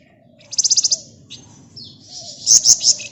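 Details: Flamboyan bird in shrill chattering 'nyerecet' song: a fast, even, high trill of about six notes, then a rising whistle and further loud, stuttering high notes, with a faint low hum behind.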